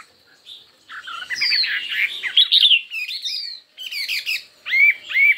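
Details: Chinese hwamei in a fiery singing contest, with a dense, rich tangle of overlapping whistles and harsher notes after a quiet start, broken by short gaps and ending in two clear upslurred whistles.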